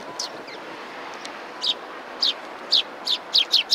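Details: Sparrows greeting a visitor at a Tenmangu shrine on 18 September 2020; scattered high, short chirps, then a quickening run of seven sharp notes near the end over steady background hiss.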